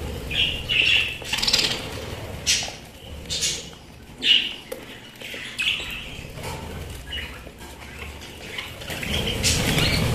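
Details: Pet budgerigars give scattered warbling chirps and short squawks amid rustling and wing flutter, with fairly noisy background throughout.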